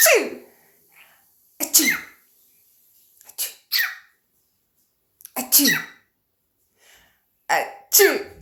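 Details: Pet cockatiel imitating its owner's sneezes and coughs: a series of short, explosive, breathy bursts, some paired, spaced one to two seconds apart, with faint chirps between them.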